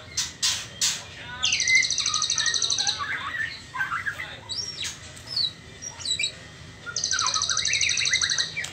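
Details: Juvenile white-rumped shama, trotol stage before pastol, opens with sharp clicks, then sings a buzzy high rattle, varied warbled and rising whistles, and a second rattling burst near the end.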